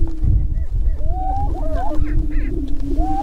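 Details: Spring mating dance of greater prairie-chickens on a lek near Crookston, northwest Minnesota, April 2013: continuous low droning boom beneath upslurred whooping calls and short cackles from multiple males, with low rumbling wind noise.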